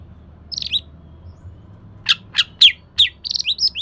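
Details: Oriental magpie-robin singing as a lure for a bird that will not sing: a short whistled phrase, then four sharp descending chips about a third of a second apart, ending in quick wavering whistles, over faint low hum.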